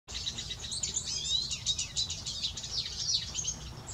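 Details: Male Eurasian siskin singing: a continuous high, fast twitter of squeaky chirps and slurred notes with a raspy edge, over a faint low background rumble.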